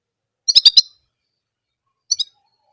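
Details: Orange German canary singing a single sound: a quick burst of four bright, high chirped notes, then after a pause two more shorter high notes, with silence around them.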